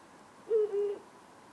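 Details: Ural owl, one of a pair in town at night among power lines and antennas: a low doubled hoot, a brief higher note running straight into a longer, steady lower one, with no other sounds.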